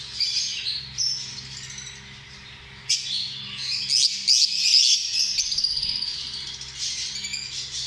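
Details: Lovebirds, small social parrots, twittering in high, buzzy, wavering phrases, with a sudden sharp burst mid-way leading into sustained shrill chatter over a soft background hum.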